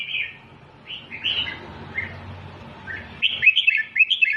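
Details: Red-whiskered bulbul singing in the doubled style for chick training: scattered single chirpy notes at first, then a fast run of bubbling, rising-and-falling warbles at the end.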